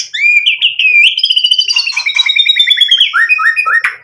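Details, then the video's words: White-rumped shama in lively song: slurred, rising whistles lead into a rapid rattling trill that slowly falls, ending in a few clear, upward-sweeping notes. "MURAI BATU GACOR buat PANCINGAN agar BUNYI NYAUT emosi BONGKAR MATERI ISIAN | SHAMA BIRD"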